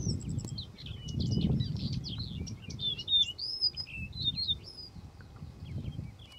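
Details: A singing male yellow-breasted bunting delivers a quick run of high, clear whistled and slurred notes mixed with short chirps. The notes pour out almost without a break for about six seconds, over a steady low rumbling background noise.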